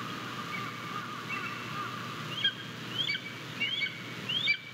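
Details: Thin, high, upslurred peeps from a Japanese golden eagle chick at its nest, 22 May 2023, as the father delivers prey and it starts eating; about four peeps in the last two seconds, faint over steady wind hiss.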